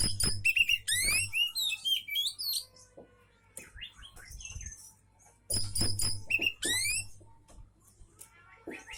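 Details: Loud bursts of oriental magpie-robin song to provoke answers from others of its kind: fast descending trills and bright whistled notes, quieter rising slurs in between, some low thuds.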